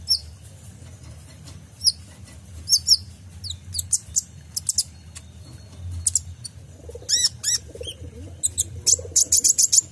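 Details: Kolibri ninja sunbird song used to train caged songbirds, packed with 'tembakan' shots: rapid very high chips and twitters speeding into dense trilled runs, with a few softer lower notes.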